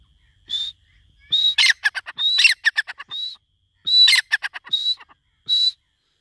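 A francolin gives loud, harsh phrases of rapid grating clicks mixed with high, thin whistled notes, repeated several times over six seconds. No other sounds are heard.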